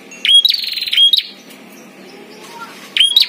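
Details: A prinia, in a heated singing contest between a caged and a wild bird, gives sharp, high, buzzy trilled phrases with clear whistled notes: two bursts close together, then a pause before another starts.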